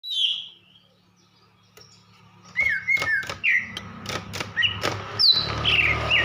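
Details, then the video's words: Female greater green leafbird calling, used to arouse males and stimulate silent ones, Banyuwangi type: after a quiet start, loud clicks and short slurred whistles, rising and falling notes in quick succession over a low hum. "KICAU CUCAK IJO BETINA GACOR || NAIKAN BIRAHI JANTAN"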